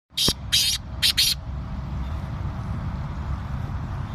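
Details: Black francolin (Francolinus francolinus), call.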